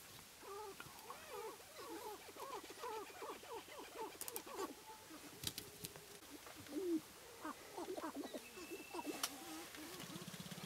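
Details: Displaying sharp-tailed grouse males on a spring lek in Wisconsin's Namekagon Barrens; rapid series of wavering coos and clucks, many birds overlapping, with occasional clicks and a brief steady tone.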